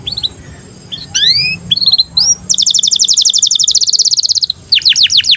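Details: Canary in breeding condition, singing as a training model for young canaries: a few thin rising whistles and short notes, then a fast, even high trill of rapid repeated notes lasting about two seconds, ending with quick sliding phrases.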